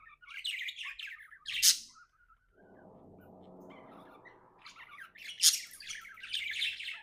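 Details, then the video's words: Happy pet budgie giving sharp high chirps and warbles at the start and end, with a lower, buzzy, droning sound filling the middle. "Happy budgie chirping sounds"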